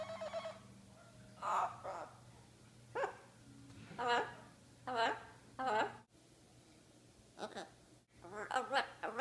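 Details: A pet two-year-old blue-fronted amazon parrot shows off its vocabulary indoors, uttering faint, speech-like words spaced about a second apart, with a low steady hum in the background.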